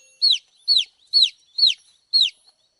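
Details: Five evenly spaced, piercing peeps from baby chicks, each a high note arching downward, roughly two per second.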